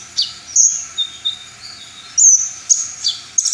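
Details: Brown-throated sunbird giving sparse, piercing high whistles and short chirps, spaced irregularly about half a second to a second apart. The sound is part of a full-repertoire performance said to rouse other sunbirds.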